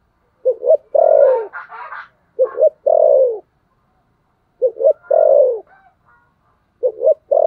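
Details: Spotted dove in the thổ sấm gù fighting-coo style: clipped double notes run into a long, mellow, descending coo. The phrase repeats four times with brief silences between and quiet higher calls in the background.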